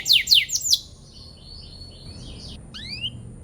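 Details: Canary song used to provoke rival birds into answering and singing: a burst of loud, rapid descending chirps in the first second, then fainter twittering and two rising whistled notes near the end.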